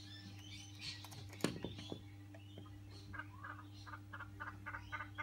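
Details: Noisy friarbirds, a colony visiting a house garden to feed at a heavily flowering tree, give harsh, cackling notes in a rapid repeated series during the second half, after several sharp knocks and thuds near the start, over a steady low electrical hum.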